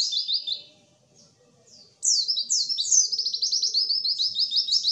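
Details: White-eye singing, used as a trigger for lazy singers to start and imitate: a brief twitter, over a second of near silence, then a long, energetic run of rapid high downslurred notes.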